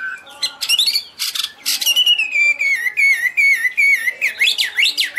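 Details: Chinese hwamei, wings and tail waving, singing high and pure: a long wavering whistle that slowly falls in pitch, then fast swooping up-and-down whistles.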